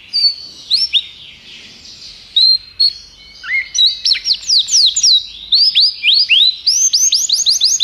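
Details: Belgian canary, a tutor bird singing: scattered short whistles at first over a faint background, building into repeated rising and falling whistled sweeps and quick upward slurs in steady bursts.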